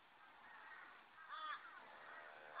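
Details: Juvenile Australian magpies beg for food from a person, giving drawn-out, nasal, wheezy begging calls almost without a break, with one louder, harsher squawk in the middle; 20 June 2012.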